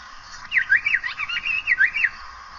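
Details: Asian paradise flycatcher producing a tight sequence of sweet, swooping whistled notes, each falling then rising, lasting about two seconds against a quiet background.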